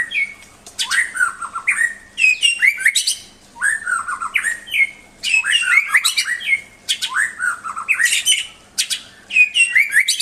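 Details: White-rumped shama song of loud, rich phrases full of harsh chatter and swooping notes, repeated in bursts about every one to two seconds with little pause.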